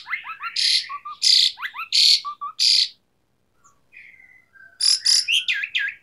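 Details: A singing Asian pied starling, jalak suren gacor with tembakan fills, mixes sliding whistles and paired low notes with four loud rasping bursts, then a drawn-out whistle and more harsh chattering notes.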